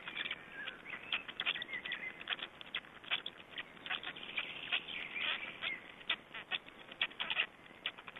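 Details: Black storks feeding at their Estonian nest on 20 May 2012: persistent irregular squeaking and rasping clicks with occasional brief whistled notes, building to a denser flurry near the middle, over a hissy background.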